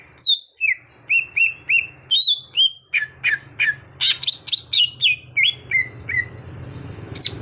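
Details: Captive green leafbird, a raw bird being trained to sing often, gives high falling whistles followed by a rapid steady string of bright chirps, about three each second, over a faint background hum.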